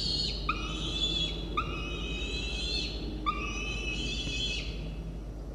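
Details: Peregrine falcon chick, still hungry shortly after a feeding on 1 November 2021, gives long, drawn-out wailing begging cries that sag at the end. It nibbles the adult female's talons and beak. A steady low hum runs underneath.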